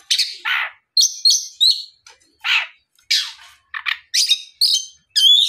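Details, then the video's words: Oriental magpie-robin singing strongly in the afternoon to stimulate other magpie-robins to respond; short high whistled phrases alternating with harsh, noisy rasps and bright chirps. "SUARA PIKAT BURUNG KACER GACOR NGEPLONG SORE MEMANCING KACER LAIN SUPAYA LEKAS BUNYI NYAUT & GACOR !"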